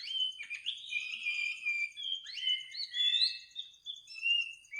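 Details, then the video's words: Singing bird at midnight delivers clear, varied whistles and short upward flicks, several layered notes at once, against a steady high pulsing insect trill in an otherwise quiet night. "kicau burung di tengah malam"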